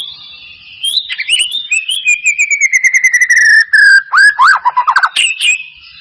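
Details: Captive white-rumped shama used as a lure to provoke other birds to sing: a long descending whistled note gliding down, then rapid bursts of varied whistles, chirps and slurred notes in quick succession.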